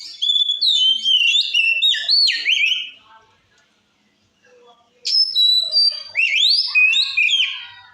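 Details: Oriental magpie-robin in energetic 'ngeplong' song aimed at stirring rival magpie-robins; two dense phrases of ringing whistles, chattering notes and rising slurs, the second starting after a two-second quiet gap.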